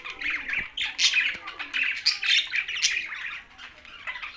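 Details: Budgerigars kept together with parrots, Larkana, Sindh: dense, busy chattering of warbled chirps and squawky notes, overlapping continuously with short bright peaks throughout.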